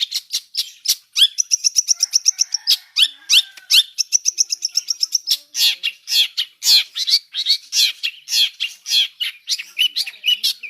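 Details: Long-tailed shrike delivering a full mixed fill-in song: fast chattering series of high notes, bursts of rapid trills and scratchy phrases running continuously.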